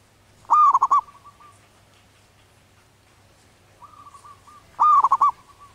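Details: Zebra dove of a wild local population, in breeding condition, cooing its anggungan song: two loud phrases of quick, rolling, hollow notes about four seconds apart, with a soft trill before the second.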